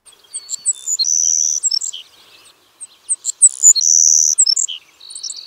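Savannah Sparrow singing twice: a few very high, thin chips, then a long insect-like buzz and a short lower closing note, each song about two seconds.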